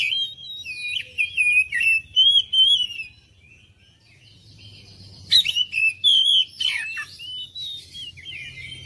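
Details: Oriental magpie-robin lure song aimed at prompting other birds to reply: quick warbled whistles, a near-silent gap, then harsh bursts and rising whistles over a low hum.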